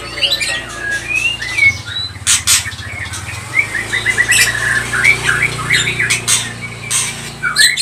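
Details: White-rumped shama singing to stir other birds into song; short upslurred whistles and quick chirp series, with sharp clicking bursts and a low background rumble.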